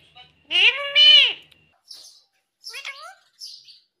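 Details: A loud, drawn-out, harmonic utterance from a talking parrot, swelling in two parts, followed by soft high chirps and a short, bending call.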